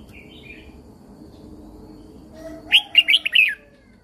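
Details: Caged Red-whiskered Bulbul from Thailand singing, its song played to excite and train other caged birds: after faint earlier notes, one quick phrase of about five bright warbled whistles, rising and falling, over a low background hum.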